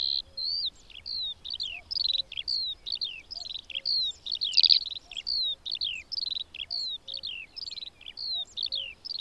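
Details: Eurasian skylark singing in Baie d'Audierne, Finistère, Brittany, France, between late April and early May 2022: a continuous, high, rapid stream of chirrups, trills and slurred whistles without pause, over faint low rumbling.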